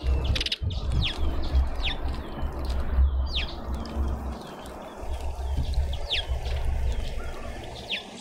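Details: Cape white-eye waiting its turn at a feeder in a Pretoria suburban garden, South Africa; thin, high, falling chirps repeated roughly every second, fairly evenly spaced, over a soft low background rumble.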